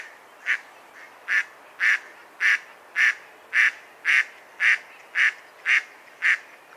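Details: Mallard uttering a dozen loud, buzzy quacks in steady rhythm, beginning softly and then holding an even volume.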